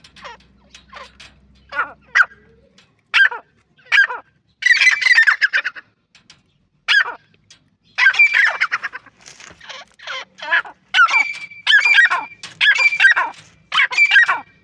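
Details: Partridge, called Irani teetar, giving harsh, squawky calls in rapid clustered bursts, repeated with short pauses between groups, with a faint low hum in the background.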